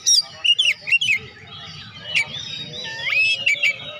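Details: Oriental magpie-robin song for prompting quiet birds to sing: bright whistled slurs early, then softer warbling with a deep descending then rising swoop, steady low hum behind.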